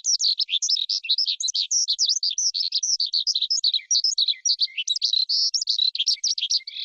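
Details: Forest skylark song: a dense, unbroken stream of rapid high chirps and trills, tumbling up and down without pause, clean with no other sounds.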